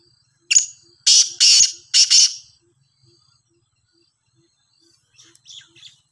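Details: Sindhi black francolin calling loudly. One clipped note is followed by three broad, scratchy notes about half a second apart, then quiet, with a few faint softer notes near the end.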